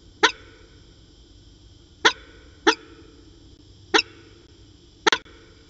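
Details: Peregrine falcons at CSU Orange calling on an afternoon, 13 January 2019, around 4:19 pm: five short, harsh, clipped notes spaced irregularly one to two seconds apart over a low steady background hum.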